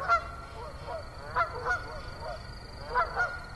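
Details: Geese at Assabet River National Wildlife Refuge on an October 2014 evening give short, clipped honks in pairs, with a steady high insect tone behind them.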